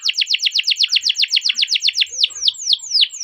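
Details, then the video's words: Domestic canary, a chattering rolling song used as a lure to train young canaries: a rapid train of descending chirped notes about four per second, then slower, longer downward sweeps. "Masteran Suara Burung Kenari Ngerol Panjang cuit cuit untuk Pancingan Kenari"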